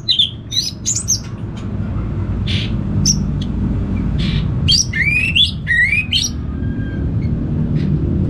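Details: Anis merah (orange-headed thrush) kept in a cage in northern Bali, prompted by a played recording: scattered sharp clicks and high chirps, then short rising whistled phrases near the middle, over continuous low background rumble.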